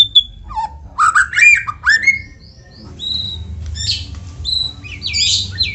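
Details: Lure song of a white-rumped shama meant to prompt other shamas to sing, with loud upslurred whistles and harsh chattering bursts that give way to thin, high, slurred notes over a soft low rumble.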